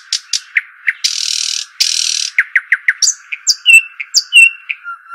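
Arabian babbler calls: sharp high chirps, two long harsh rasping bursts, then a run of quick piping and whistled notes, with a faint steady hum underneath.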